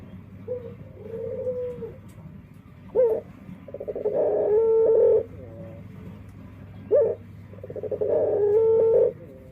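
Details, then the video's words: Dove with an unusual song, giving two phrases about four seconds apart, each a short sharp note followed by a buzzy, rolling coo that ends in a steady held tone, with a faint low hum. "Suara Unik Burung Puter // Unique Sound Singing of dove"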